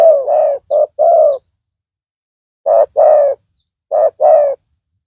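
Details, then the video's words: Spotted dove decoy with a powerful voice calling to entice a rival. Three groups of deep coos are separated by pauses, each a quick note then a longer mellow one. A few faint high chirps are audible. "Pikat tekukur tapau Bl suara besar dan penguku.blnya pukul lari."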